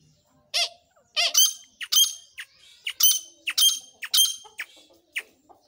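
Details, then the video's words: Grey francolin, a male and a female, calling: a series of harsh, squeaky, high-pitched notes with strong upper harmonics, repeated in irregular bursts roughly every half second, starting after a brief quiet opening. "Desi Teetar ki awaz Teetar female and male"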